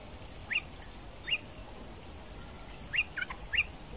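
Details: Wild bulbul lured with a decoy in breeding season, near dusk: four short, sharp, rising whistled notes in two spaced pairs over a steady high insect drone.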